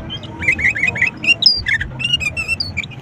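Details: Sooty-headed bulbul lure recording meant to set lazy birds singing: a busy, chattering run of bubbly, slurred notes mixed with higher thin whistles, packed tightly over about three seconds.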